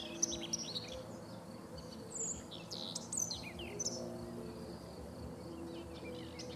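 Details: Scattered high scratchy notes and brief chattering phrases from a common whitethroat along the Sava river in Prečko, Zagreb, Croatia, early June 2017. A constant low hum runs underneath.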